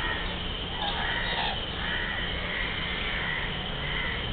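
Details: Geese at Windsor Castle, recorded 21 July 2010, giving a series of harsh honking calls repeated roughly every second over steady, strong low rumbling background noise.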